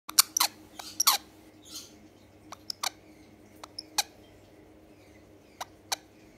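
A lorikeet gives sharp, high, screechy chirps, a quick burst at first, then single notes spaced about a second apart.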